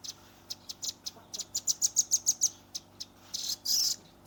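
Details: Young captive velvet-fronted nuthatch in a rapid 'nembak' song burst, recorded on a Redmi 10 phone: spaced high chips quicken into a tight run of bright notes, ending in a harsher buzzy rush.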